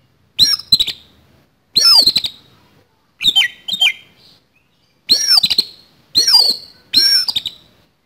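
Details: Kacer, the oriental magpie-robin, in kacer tarung fighting-song style with a rough fill (isian kasar), played as training to keep it singing. Six short, loud, harsh phrases come in quick succession, some with buzzy rattled tails.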